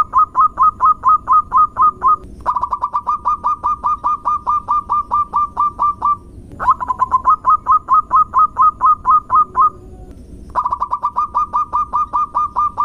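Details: Zebra dove of a local type, singing as a lure to make other doves reply: four long runs of rapid, evenly spaced coo notes with short pauses between them, over a steady low rumble.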